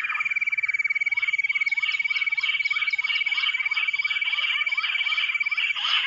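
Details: Bush quail called in using a mobile phone: a continuous fast pulsed whistle holds steady while short, downward-sliding chirps repeat alongside it at a quick pace.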